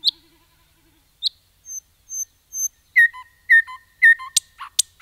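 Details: Common nightingale singing in a forest. Pure high whistles are spaced about half a second apart, then a repeated phrase of slurred notes with lower echoing tones, ending in sharp clicking notes. Background is quiet.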